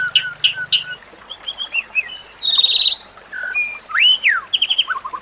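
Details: White-rumped shama training song with natural ambience and trickling water: sharp chips, a buzzy trill, clear high whistles and fast swooping rising-falling notes, varied throughout, a low hum at the start.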